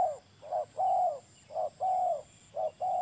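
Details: Close, loud spotted dove: a short coo followed by a long, smooth, slightly falling hoot, heard three times in even rhythm against faint background hiss.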